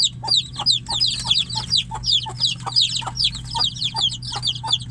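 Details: Chicks confined in a cage call for the hen outside; a busy chorus of high, sharp descending cheeps, tightly packed, with faint lower ticks in rhythm and a low background hum.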